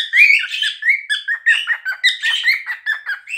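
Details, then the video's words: Cockatiels chatter and whistle indoors, several birds overlapping in a steady run of short rising and falling notes, bright and slightly warbled. "Nymphensittiche singen"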